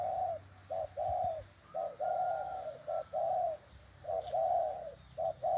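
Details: Low, rounded coos from a spotted dove, short notes alternating with longer swelling ones in an even rhythm, with a faint thin whistle overhead and quiet background hum.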